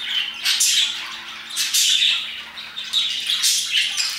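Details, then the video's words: Around 2pm parakeets chirp in rapid overlapping bursts, rasping squawks about every second punctuated by brief clear whistled notes, with a faint low steady hum underneath. "Parakeets chirping and singing their hearts out"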